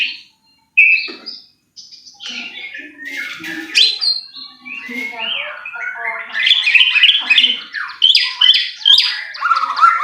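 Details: White-rumped shama song played as a lure to provoke singing. It opens with a brief whistle, breaks off into a short silence, then returns as a busy mix of chirps, rattles and whistled phrases that grows louder toward the end.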